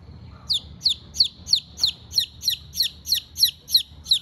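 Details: Chicken chick, hungry and calling to its mother, gives a steady series of twelve piercing, falling peeps, roughly three per second, with a faint steady hum behind.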